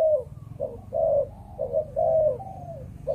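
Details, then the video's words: Spotted dove of breeding Malaysian stock giving the 'chụp chụp ô' coo: clear, mellow, hollow notes, about one a second, some slurred downward, with a longer drawn note near the end. "Chim Cu Gáy | Chụp Chụp Ô"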